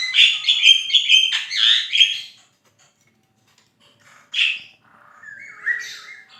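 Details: A Javan myna in full song, used as a tutor recording for songbirds. A dense burst of scratchy, chattering notes gives way to a pause, then one harsh rasp and a short wavering whistle.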